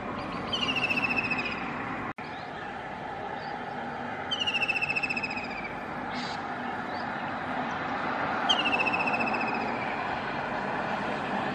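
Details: White-throated kingfisher singing from a roof: three rattling, descending trilled phrases about a second long, spaced roughly four seconds apart, over a steady low background hum.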